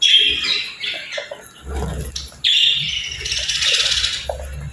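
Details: Pet budgerigar chirping in captivity: a dense, warbling, high-pitched chatter of scratchy trills and squeaks, in a long unbroken run, with soft low knocks and thumps beneath.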